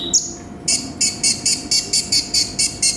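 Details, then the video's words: Konin, or brown-throated sunbird, in 'gacor full isian' song: one thin slurred whistle, then a run of about ten harsh, buzzy, high rattling bursts at an even pace, roughly four per second. "MASTERAN BURUNG KONIN GACOR FULL ISIAN"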